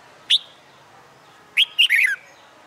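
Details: Wild-caught red-whiskered bulbul kept caged and trained in fighting song gives one sharp chirp, then a quick rolling phrase of three or four bubbly whistled notes falling at the end.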